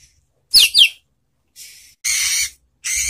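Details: White-rumped shama, relaxed lure song meant to prompt other shamas to answer back: two quick high downslurred whistles, then several harsh, broadband rasping bursts separated by short silences.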